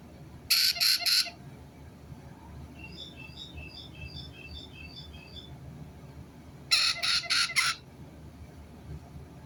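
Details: White-bellied caique uttering a rapid burst of three or four harsh squawks, a softer run of chattering notes, then another burst of four loud squawks after a pause, over low background rumble.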